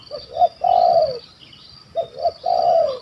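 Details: Big-voiced, stuttering spotted dove giving its kuk 1 2 call in Malaysia during a hunt: two low cooing phrases, each of two quick short notes then a long falling coo, over a steady high hiss.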